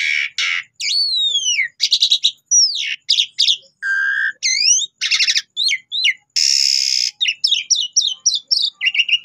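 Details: Asian pied starling song used as a lure recording to prompt other birds to answer and sing: a fast, varied string of loud whistled slurs, rising and falling sweeps, harsh buzzy bursts and rapid chattering notes, with no other sounds.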